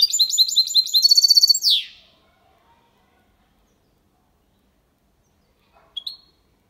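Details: Goldfinch × canary hybrid, clean Málaga copy for stimulating females and teaching young: a fast, evenly pulsed rattling trill of bright notes ending in a downward slurred buzz, then silence and a single soft double chip.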